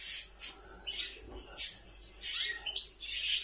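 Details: Nightingale singing: bright high chirps and rapid twittering bursts alternate with brief pauses, with whistled notes sliding down in pitch.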